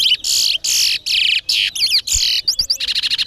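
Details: Large-billed seed finch (towa towa) in a bird race singing competition at Linden, Guyana; loud, dense song of buzzy bursts and warbled slurred notes, closing in a rapid repeated trill, with faint music behind.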